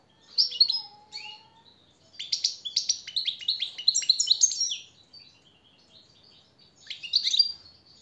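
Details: Goldfinch training song for caged birds, a lively tinkling twitter in bursts separated by pauses, with a faint low whistle early on and a final brief phrase after a silence.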